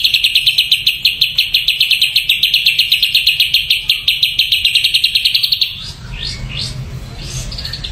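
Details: Ashy drongo said to be dosed with a supplement, repeating a sharp high note about seven times a second for nearly six seconds in a steady chattering run, then a few softer slurred whistles.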